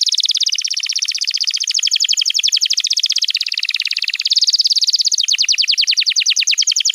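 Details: Canary master song for training young canaries and prompting silent birds to sing: rapid, dense trill of fast repeated high notes, rolling on continuously with slight shifts in pitch, clean with no other sounds.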